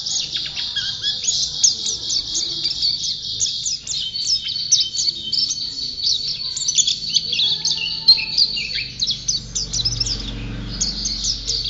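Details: Champion white-eye singing persistently in a continuous high-pitched, rapid twittering of thin chirps and short trills that run almost without pause through the whole stretch.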